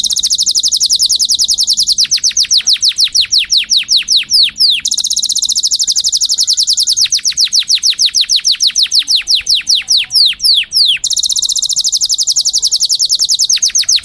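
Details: Canary song used for tutoring young birds and preparing females to breed, alternating fast high rolling trills with runs of rapid descending whistled sweeps, phrases repeating in long continuous bursts.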